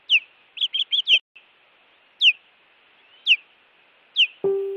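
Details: Nest-defending osprey alarming during intruder attacks, Montana Osprey Project camera, 16 June 2017; a quick burst of five chirps, then single sharp descending whistles about once a second, ending with a click and a low electronic tone.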